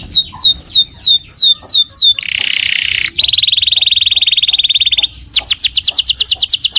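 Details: Energetic canary singing as a lure for other canaries to answer: a few falling whistled notes, then a harsh buzzy roll, a long steady machine-like trill, and finally quick repeated downsweeps.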